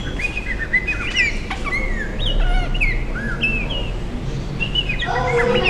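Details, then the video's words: African bird said to be answering: clear whistled notes that slide down and up, several short overlapping phrases in quick succession, set against a steady low rumbling background. "African Bird He answers"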